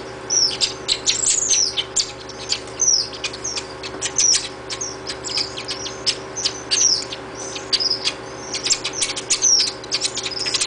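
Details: Chimney Swift nestlings being fed in rehab give a continuous, high, scratchy chatter of rapid chirps and twittering bursts. A low mechanical hum runs steadily underneath.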